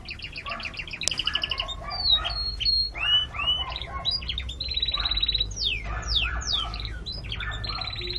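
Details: Chicks, a red creole chick and a white farm chick, giving shrill, down-slurred peeps and squawky cries in irregular clusters over continuous low background rumble.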